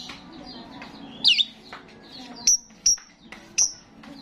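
A starling gives one sharp, squeaky burst followed by three thin, very high whistled notes, each dropping at the end, spaced under a second apart, over a faint low hum.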